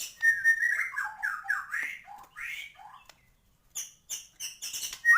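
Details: Gacor white-rumped shama song packed with isian phrases: rich, rolling whistles rising and falling for two seconds, a pause, then sharp high notes and clicks.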